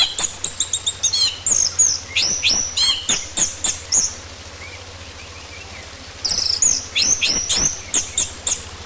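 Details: Orange-headed thrush song used as a lure to make the bird sing quickly: rapid high, varied chirps and rising whistled notes repeated in quick succession, a brief pause, then another lively burst over a low hum.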